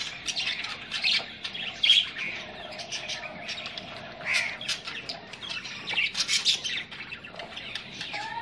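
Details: Budgerigars meeting aggressively: scattered sharp chirps and scratchy squeaks over a faint, low steady hum. Loud bursts come near two, four and a half and six seconds, with a short rising whistle at the end.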